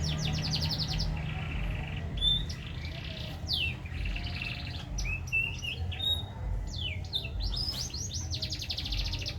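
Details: Green canary singing a varied run of high, sweeping whistles and fast trills over a steady low hum.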